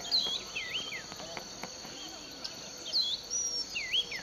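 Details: Unidentified bird in a Western Kenya sugarcane field at Bulechia, December 2011, singing wavering swooped whistles and a few sharp high notes, set against continuous high insect buzzing and faint clicks.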